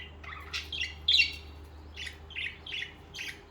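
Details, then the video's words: Budgerigars call in short, buzzy, slightly rising chirps spaced about every third of a second over a faint low hum. "Most Beautiful Bugies Song | Bugies Singing and Chirping"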